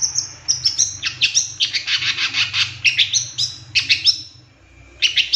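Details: Long-tailed shrike (cendet) singing a 'tembakan' filled master lure track: a dense, hurried chatter of short bright notes running for four seconds, a brief pause, then the chatter resumes; faint low hum underneath.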